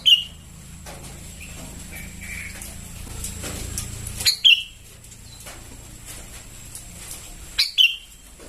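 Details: Lure sound of sooty-headed bulbul chicks calling: three short clusters of high chirps falling in pitch, scattered across eight seconds with soft background hiss and a thin steady tone.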